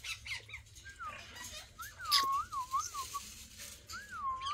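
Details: Alexandrine parakeets kept as pets sit together, producing wavering, looping whistled notes that dip and rise several times in a row, then a final rising-falling whistle, over faint room noise.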